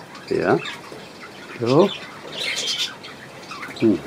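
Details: Grey-white-yellow rooster giving three harsh, descending squawks at about 0.5, 1.8 and 3.9 seconds, with a brief higher, scratchy burst between them and a quiet room-like background.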